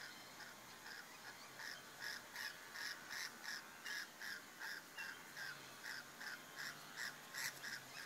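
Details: Rainbow lorikeets mating in the bush, giving short, clipped, harsh notes repeated about two to three times per second in a steady series, over a constant soft background hiss.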